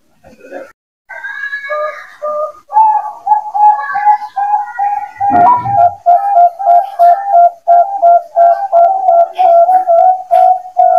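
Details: Bangkok-type zebra dove used as a master call for young birds newly separated from the flight cage: a rapid run of soft, rolling coos, about three per second, at a steady low-mid pitch, with faint higher chirps behind.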